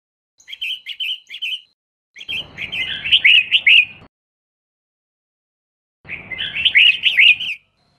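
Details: Female red-whiskered bulbul, its sound meant to stimulate males into singing, delivers three bursts of rapid, warbled chirps, the middle and last phrases fuller and more jumbled, with clear silences between them.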